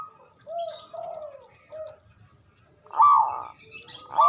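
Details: Local Javanese zebra dove, loud and long-breathed, calling rivals to reply; several soft low coos at first, then a loud, broad ringing burst followed by another starting at the end.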